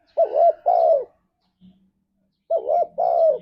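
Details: {'caption': 'Ngalas-style spotted dove song played to make pet doves sing: two loud phrases about two seconds apart, each a wavering double coo then a longer sliding coo, with a brief low hum between them.'}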